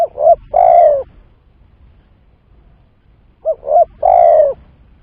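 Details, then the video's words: Lure call for trapping spotted doves. Two phrases about three seconds apart, each with two quick soft coos and then a longer, slightly falling coo, separated by near silence. "Pancingan Suara Tekukur"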